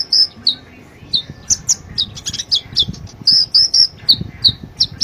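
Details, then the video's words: Master recording of a sunbird (konin) for teaching cage birds: brisk, high-pitched chirping notes, some doubled, repeated in a lively uneven rhythm with short sharp twitters between them. "Suara burung konin Kolibri ninja gacor masteran burung konin"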